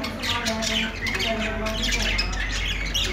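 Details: Budgies make a harsh, squawky warble mixed with quick chirps over a steady low hum in the background.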